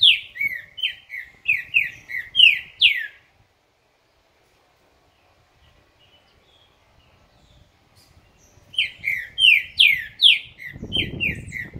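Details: Green-winged saltator, described as a 'dobrador' singer and a loud songster, giving a rapid phrase of loud, slurred, descending whistled notes lasting about three seconds, then silence, then a second similar phrase, ending in a brief rustle.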